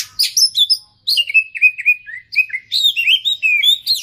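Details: Oriental magpie-robin (kacer) singing gacor with isian fill-ins: a dense flow of sweet slurred whistles, many dipping and rising, in short phrases with brief pauses.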